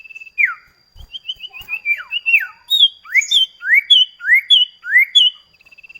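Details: Common iora duet song used as a lure and training recording to prompt kept birds to sing: a series of clear, sharp whistles, mostly rising then dropping, repeated in quick succession, with a faint steady high tone underneath.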